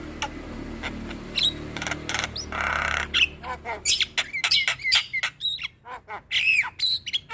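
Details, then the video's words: A Javan myna song offered as encouragement for a reluctant singer. It opens with background hiss and a rough noisy burst, then becomes a busy stream of sharp clicks, squawks and curling whistles. "Burung Jalak Malas Bunyi Harus Rutin Di Beri Pancingan Kicauan Jalak Kebo Gacor Ini"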